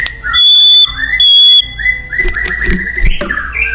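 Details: White-rumped shama singing vigorously in the wild: long steady high whistles held for about half a second each, then lower slurred whistled phrases and a rising run of notes.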